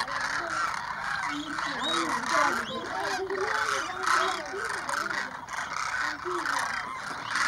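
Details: About 2,500 demoiselle cranes over a small lake at Keechan in Rajasthan, India, January, arriving to drink: continuous massed calling, many birds overlapping, while people talk in the foreground.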